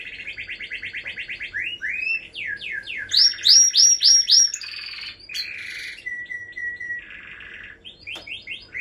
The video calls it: Canary singing